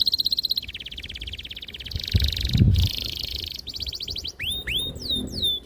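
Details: ['Canary song used to lure young canaries to sing: fast pulsed trills and rolls with a brief low rumbling noise in the middle, ending in sweeping whistles.']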